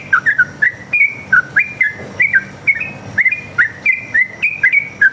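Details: Long rapid one-line song of a sooty-headed bulbul, fighting style, played to draw answers from other birds: loud clear whistled notes in quick pairs and triplets, sliding up and down, steadily repeated throughout.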